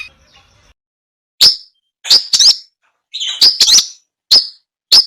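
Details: Long-tailed shrike calling in a home yard and rice fields on 16 May 2022, recorded with a Samsung M30 phone: sharp, sparse chirps, single or in quick pairs, spaced about a second apart with silence between.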